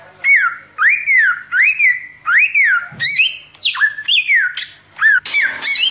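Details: Oriental magpie-robin delivering 'samyong' style song: a run of four clear arched whistles rising and falling, followed by quicker sharp whistled slurs and a final rasping note.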